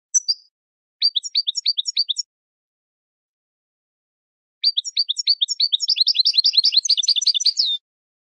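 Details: European goldfinch song meant for training birds: a brief opening note, then a run of rapidly repeated, downward-slurred high chirps. After a silent gap comes a longer, denser twittering phrase that grows more jumbled and tinkling toward its end.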